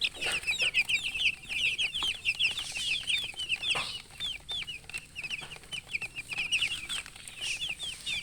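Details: Chickens chirping loudly, with crisp high peeps that curve up then down, repeated several times a second in a lively, unbroken chorus.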